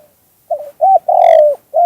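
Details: Spotted dove voicing its 'two kuk hoi' song: a burry opening coo, a rounded second coo, a long loud descending coo, and the start of a fourth note, mellow and mid-pitched in a silent setting.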